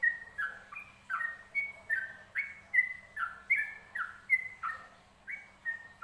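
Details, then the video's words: Training recording of a yellow-vented bulbul singing, loud chirpy whistled phrases alternating rising and falling notes, each burst repeated a little under once a second over a steady faint background hum. "masteran burung Trucukan"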